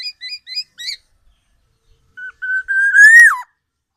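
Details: Black-naped Oriole, tame and singing freely with its loud, typical voice: a few quick zigzag notes, a pause, then a long pure whistle that rises slightly, swells loudly and drops away. The setting is otherwise silent.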